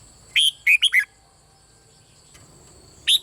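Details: Red-whiskered bulbul singing in the Thai 'boen' style, repeating continuously, used to stimulate other birds to sing: a quick phrase of four bright whistled notes, falling in pitch, then a new phrase starting, over faint steady high-pitched tones.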